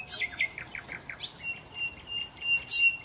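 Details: Sparrows feeding on breakfast leftovers at a hotel restaurant in Marsa Alam, Egypt; a quick series of sharp descending chirps followed by thin high whistles and more chirping.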